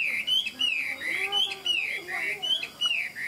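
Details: Tame Chinese hwamei singing in the ngũ trường style, described as a good fighting bird: loud, rich whistled phrases that rise and fall, each swooping note running into the next with brief gaps between phrases.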